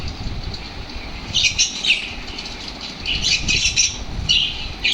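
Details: Lovebirds made active by played lovebird sounds, with a quiet start followed by bursts of shrill, buzzy chatter coming every second or so, over low background noise.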